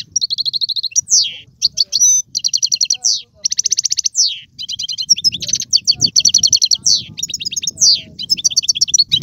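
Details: Captive Algerian European goldfinch singing styles called tiwawati, galoubi, sarfati and mandolin: fast twittering phrases broken by long buzzy trills of evenly repeated notes and sharp downslurred whistles, with a soft low murmur underneath.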